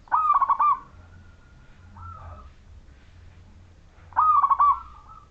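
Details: Perkutut majapahit zebra dove giving a clear, gacor song meant to prompt other doves to sing along; two quick pulsed cooing bursts separated by about three seconds of softer trailing coos and low background rumble.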